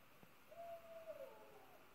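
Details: Owl calling: one steady, drawn-out hooting note lasting close to a second, slightly wavering at its end, over a quiet background with a faint tap just before it.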